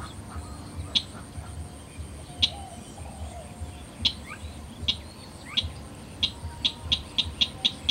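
Slaty-breasted Rail giving sharp, high ticking notes, spaced at first, then quickening into a rapid run. Faint other bird calls and a low rumble lie behind.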